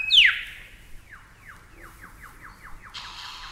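Superb Lyrebird giving a loud downward-sliding whistle, then a quick run of about ten softer falling notes, with a brief burst of hiss at the end.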